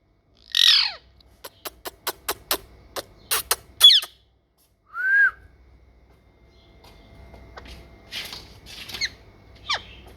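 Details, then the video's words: Talking parrot giving a harsh downward squawk, then a quick series of sharp clicks, a short rising whistle, and later scratchy squawks and a falling whistled note. "Parrot Talking"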